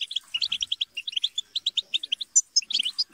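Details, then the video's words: European goldfinches chattering and squabbling as a group, played to prompt a goldfinch to sing: rapid dry twittering notes repeated several times a second, with a few brighter whistled notes near the end. "بتبتة وتستسة وشجار الحسون - اقوى بتبتة جماعية لتحفيز الحسون على التغريد - بتبتة وشجار لتحفيز حسونك"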